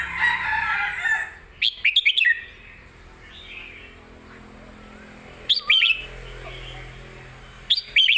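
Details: Caged Red-whiskered bulbul giving a quick, full-repertoire song for teaching chicks: three short bursts of rapid sharp whistled notes, spaced several seconds apart, over steady background hiss after a noisy warbling start.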